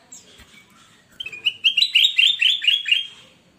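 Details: Caged golden bulbul (kutilang emas), a frequent singer, recorded as a master song for training newly bought market birds: soft notes build into a loud run of rapid, slurred warbled phrases, several per second, rising and falling.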